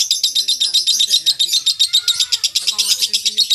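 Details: Lovebird producing long 'ngekek' chattering meant for training contest birds: fast, harsh, high pulses repeated steadily throughout, with faint lower tonal notes and murmurs in the background.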